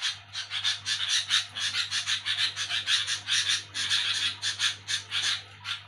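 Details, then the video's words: Rapid raspy chatter from a sooty-headed bulbul at night: continuous strings of coarse, buzzy bursts, roughly four per second, steady and loud throughout, with an electrical hum underneath. "burung kutilang bunyi nyerecet ribut di malam Hari"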